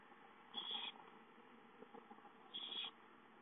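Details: Young owls calling for food at home, dated 5-9-13: two hoarse hissing screeches about two seconds apart, with soft rustling and taps between them over low background hum.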